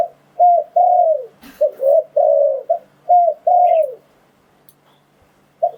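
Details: Lure call of a spotted dove for catching wild doves: repeated phrases of short coos ending in longer falling notes, then a few seconds of quiet and one final coo.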